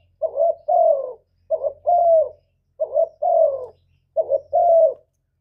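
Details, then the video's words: Low, soft cooing of a spotted dove, played to lure wild doves into traps and rouse caged ones: four phrases, each a stuttered short note and then a longer falling hoot, regular rhythm. "Tiếng cu gù cực chuẩn dùng đi bẩy, kích chim nhà hiệu quả"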